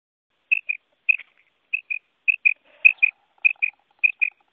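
A female quail gives high, clear paired notes, two quick peeps repeated about every half second. A faint low background hum sounds midway.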